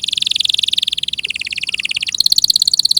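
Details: Very fast canary roll of pulsed notes at a steady pitch, nearly fifteen per second, shifting to a slightly higher, crisper trill near the end.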